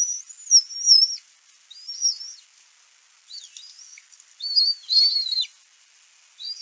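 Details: Young bald eagle at its nest, 11 May 2024, crying out as an adult brings in a fish and the two eaglets vie to feed themselves; a rapid run of shrill, wavering whistles in clustered bursts.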